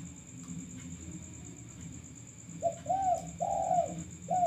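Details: Male spotted dove used as a lure, described as a chatty caller: after a quiet stretch, a run of mellow cooing notes, one short then longer arched coos, over a steady high electronic whine and low background hum.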